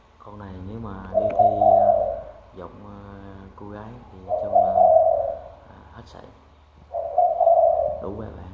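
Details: Spotted dove decoy bird with a deep bronze-thunder voice, giving three low, resonant drawn-out coos spaced about three seconds apart, while a person talks between and over them indoors.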